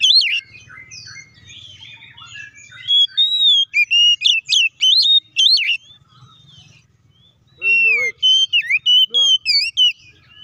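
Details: Lively oriental magpie-robin song meant to goad rival magpie-robins into singing: a run of varied whistled notes and sharp slurred phrases, a pause, then a loud burst of rapid, clear whistles rising and dropping in pitch.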